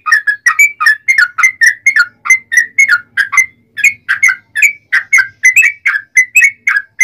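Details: Yellow-vented bulbul delivering a long, unbroken rapid song meant to provoke rivals into answering: about thirty short, warbling whistled notes strung steadily over seven seconds.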